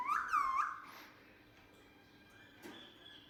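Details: A pet Indian ringneck parakeet, coaxed indoors to talk and to meow like a cat, gives a short run of harmonic, voice-like syllables rising and falling like mimicked speech, then quiet room sound with a faint later squeak.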